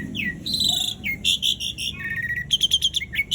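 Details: Asian pied starling in rolling song used to get silent starlings to sing: a mix of slurred whistles, buzzy bursts and short chattering notes at a quick, uneven pace.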